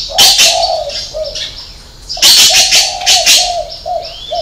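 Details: Spotted dove with a six-note call, 'hậu 3' ending style. Mellow, low coos are repeated in two phrases, partly drowned by loud bursts of high chirping from other birds.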